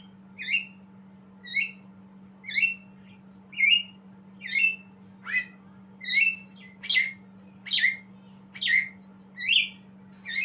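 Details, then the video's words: Learning its song, a young Javan myna repeats short rising chirps roughly every second, about eleven notes, mixing clear squeaks with rougher buzzy ones, with a steady low hum underneath. "Jalak kebo Belajar Bunyi"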